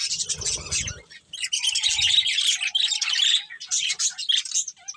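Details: Colourful budgies while eating: busy high-pitched chirps and warbles in continuous bursts. A low murmur sounds briefly at the start.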